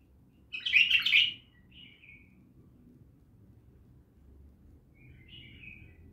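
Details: Bulbul from Naft Khaneh delivers one loud, dense scratchy-warbled burst, then a short soft slurred note, and after several seconds of near silence another faint drawn-out slurred note.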